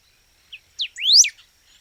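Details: Golden-billed saltator phrase: a faint chirp, a falling whistle, then a long upslurred whistle ending in a quick downward note, with a steady thin high tone in the background.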